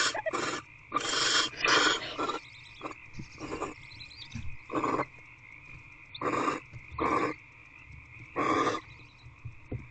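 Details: Barn owl in a nest box late at night on 2/6/24 after bringing prey, perhaps a bird: separated breathy screech-hisses, each under a second, with quiet gaps and soft knocks against a steady mechanical hum.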